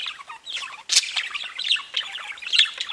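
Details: A group of caged budgerigars warbles constantly, mixing bright chirps, scratchy squeaks and short buzzy notes, with a sharp, loud peak just before one second.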